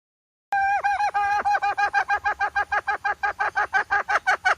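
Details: Hen call used as bait for trapping: a long run of nasal, harmonic notes repeated about three times a second, starting evenly spaced and growing louder and choppier toward the end.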